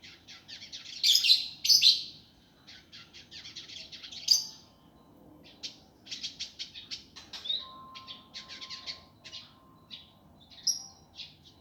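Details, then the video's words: Indigo bunting in a training recording for caged birds, a rough, fast, dense chattering style: bursts of high scratchy chirps and buzzy twitters, several loud bursts early, a steady thin tone midway. "masteran burung indigo gavor kasar speed rapat"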